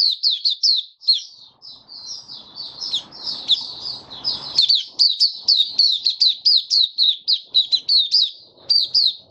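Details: Open singing from a caged white-eye, 23 March 2022, with diet tuned for humid heat: a dense, breathless stream of high, squeaky, falling notes, about four per second, over brief low rattling noise.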